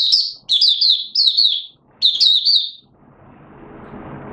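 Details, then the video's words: Malaysian Oriental white-eye, 'buka' open song, recorded in Singapore on 29 March 2023 amid warm, humid weather and sudden showers; three clear, high, descending twittered phrases, then the bird falls silent as low broadband noise rises. "Malaysian Mata Puteh Buka Sing"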